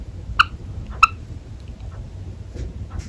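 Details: Java sparrow that seems angry but is actually playing: two sharp, clear chip notes about half a second apart, followed by a few fainter short calls, over a quiet low indoor rumble.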